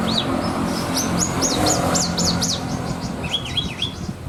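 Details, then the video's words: Horsfield's bush lark in a cage, a contest bird with luxurious 'isian' song material, giving a fast run of repeated high, arching whistled notes and then a quick wavering trill, over a low background hum. "BRANJANGAN ISIAN MEWAH"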